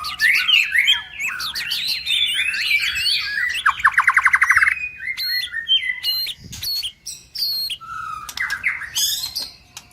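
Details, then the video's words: White-rumped shama male in full song, used to prompt kept birds to reply: a dense tangle of warbled notes, a loud rapid rattling trill, then separate sharp high calls and rising whistles. "Suara Murai Batu bikin Cepat Nyaut anti Mental Drop"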